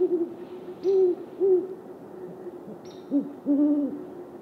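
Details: Male and female great horned owls calling back and forth in territorial display: low hoots near 300–400, a short double and a longer pair after a pause, with faint high chittering notes above.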